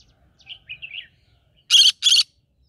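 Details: Green-cheeked conure living in the middle of a rice field: soft, wavering chirps, then two loud, harsh, rasping squawks in quick succession near the end, with a quiet background.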